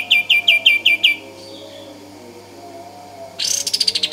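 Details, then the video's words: A pied triller gives six quick, bright chirps about every fifth of a second, pauses, then rolls into a fast, buzzy trill. "Kapas Tembak Gacor Full Ngeroll Panjang"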